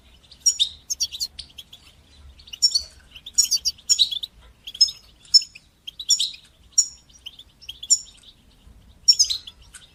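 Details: Goldfinch singing bitbata and sitsata phrases meant to train young birds; regular clusters of sharp high twittering notes and ringing whistles, repeated roughly every second to two seconds.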